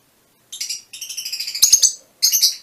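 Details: Fischer's lovebirds, mutation varieties, producing quick rattling runs of high, buzzy chirps in three bursts, with a couple of soft knocks partway through.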